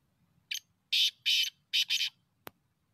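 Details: Rasping five-note call of a black francolin, used for hunting: short lead-in note, then loud paired buzzy bursts, followed by a sharp click near the end.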